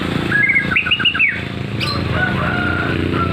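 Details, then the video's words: White-rumped shama singing a short phrase of bright whistles dropping into quick stepped notes, then softer fragments, over steady loud low rumbling background noise. "BURUNG MURAI BATU SERI F3 GACOR"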